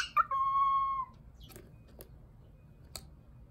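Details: Cockatiel mimicking the My Neighbor Totoro melody: a brief chirp, then one sustained clear whistle held for under a second, followed by quiet room sounds and faint clicks.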